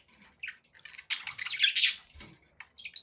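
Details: Budgerigars described as happy, with scattered soft chirps around a loud burst of harsh scratchy chatter, a faint knock, then quiet high whistled notes.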